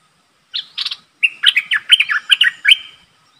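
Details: Streak-eared bulbul decoy calling to attract a wild flock: a short opening note, then a quick run of bright, bubbly, slurred chattering notes lasting around two seconds.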